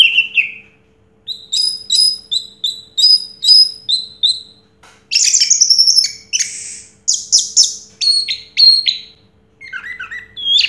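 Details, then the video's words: Orange-headed thrush, a first-place singing contest winner from 2022, delivering a varied, rich song: slurred whistles, rapid repeated chips and buzzy bursts in quick phrases, with short pauses between them; a faint steady hum sits underneath. "Suara Burung Anis Merah Juara Pertama Tahun 2022"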